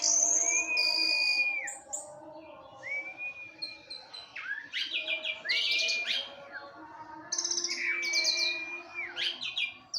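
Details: Porch-kept orange-headed thrush singing as a provocateur to stir other orange-headed thrushes: loud varied phrases of clear sustained whistles mixed with rapid sharp trills, repeated every couple of seconds, with a steady background hum.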